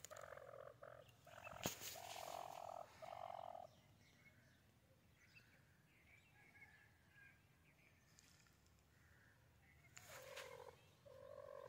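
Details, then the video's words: White teetar (white francolin) calling: a pair of broad, harsh notes, then a long quiet gap, then another burst near the end, with faint distant chirps and a sharp click early on. "White Teetar Ki Awaz"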